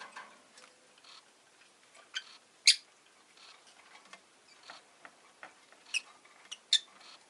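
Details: Pet rosy-faced lovebird heard indoors, giving sharp, high broadband chirps scattered irregularly, with a loud burst near the start and several more toward the end, over soft ticking and rustling noises.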